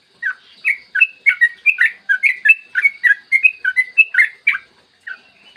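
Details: Clear morning song of a yellow-vented bulbul used to make other bulbuls sing: rapid, bubbly whistled notes in a steady chattering flow, ending with a short gap and two final notes.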